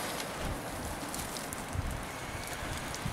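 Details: Steady broadband rushing like rain or wind fills the recording, with no animal voices.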